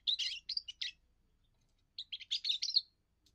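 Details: Young European goldfinch's first song, meant to claim territory and impress females: two short bursts of quick, tinkling twitters separated by about a second of quiet.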